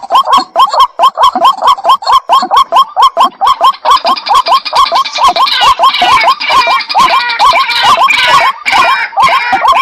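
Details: White-breasted waterhens calling as a pair, one bird giving evenly spaced, hooked, rising croaks roughly twice a second while its partner joins midway with rougher, denser overlapping notes.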